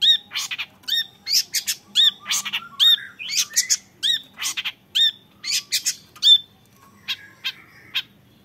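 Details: A young long-tailed shrike gives loud, harsh, clipped notes in an irregular stuttering rhythm, sometimes paired, then falls quiet apart from a few soft lower notes at the end.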